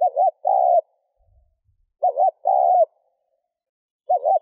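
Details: Soft low coos of a spotted dove to excite a decoy bird, each phrase a wobbling short note and a longer steady one, repeated about every two seconds, ending on a lone wavering note.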